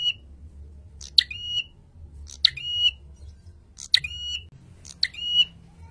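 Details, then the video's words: A male prinia gives four sharp, buzzy-then-whistled bursts, each a quick harsh note sliding into a bright ringing tone, about every second and a half, over a low hum. "Masteran Burung Prenjak Gacor - Prenjak Jantan Langsung Naik Darah Mendengar Masteran ini"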